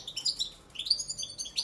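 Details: A male European goldfinch of the Balkan subspecies, Carduelis carduelis balcanica, sings beside the female brooding chicks in the nest: a quick, high, tinkling twitter of bright chirps and short trills in rapid "machine gun" bursts.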